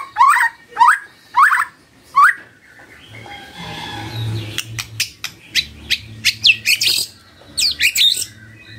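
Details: Morning magpie-robin song meant to coax a silent bird into answering: four quick rising whistles, a soft rushing pause, then a burst of sharp, varied chips and high notes.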